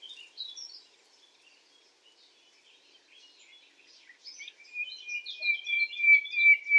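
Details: Night song of a common nightingale, scattered soft high chirps building into a long, steady, piercing whistled note that holds level for about two seconds.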